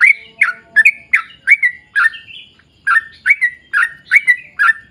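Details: Lure song of a sooty-headed bulbul, in a lively long rapid style: clear, bubbly notes that dip and rise, delivered in a fast uneven series with one brief gap.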